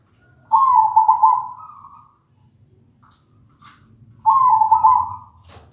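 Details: Zebra dove song used as a lure to make other zebra doves sing: two soft, low, rolling cooing phrases, each about a second and a half long, separated by a pause, with faint low background hum.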